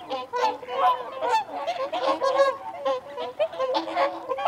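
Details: Honking chorus of whooper swans with feeding and territorial calls, clustered nasal notes coming in irregular waves from several birds at once.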